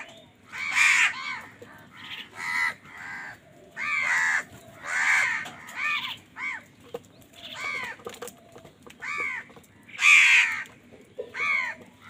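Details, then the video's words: Crows fighting for food, giving loud harsh caws in quick succession, about a dozen arched, buzzy calls of varying loudness, some overlapping, over a faint steady background hum. "কাকের ডাক Crow Sound Crow ki Awaz Loudly | Crow bird Fight for Food"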